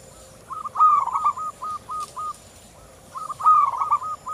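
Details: Local zebra dove (perkutut lokal) song, used as a lure to get other doves singing: two phrases, each a loud rising coo into a quick bubbling roll, the first trailed by six short clipped coos in even beats.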